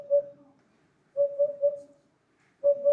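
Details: Eurasian hoopoe (Upupa epops) song: soft, hollow, low 'oop-oop-oop' notes in short groups of two or three with pauses between, over faint room noise.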